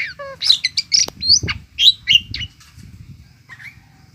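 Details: Myna song made of quick high squeaky whistles and chirps, rising and falling notes packed into about two and a half seconds, then a softer trailing note over faint background rustle.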